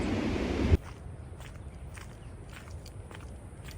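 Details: A burst of low rumbling noise stops abruptly, leaving faint scraping and crunching like footsteps or handling, with no animal voice.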